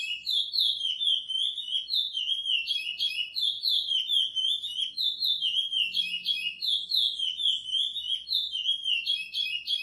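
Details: Praia-style song of a chestnut-bellied seed finch (curió), edited to train captive birds: an unbroken flow of high, pure whistled notes sliding up and down in quick, rolling phrases.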